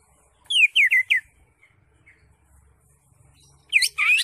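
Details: Green leafbird song, played to make a silent caged bird sing: four quick falling whistles, a few soft notes, a quiet pause, then a dense burst of twisting whistles.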